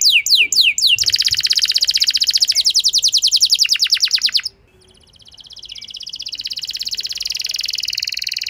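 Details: Canary song meant to stir a reluctant canary into long singing: a few falling notes, then an extended fast buzzy trill, a short pause, and a softer sustained trill building in loudness.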